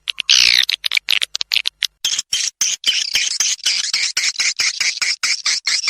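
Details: Swiftlet lure call: an opening descending buzzy squeal, then a dense stream of short, scratchy, high chirps in quick irregular succession.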